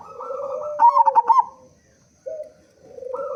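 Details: Local zebra dove with a powerful voice, singing as a decoy to prompt other doves; one rapid stuttering coo trill between steady hooting notes, then a brief pause before hoots resume.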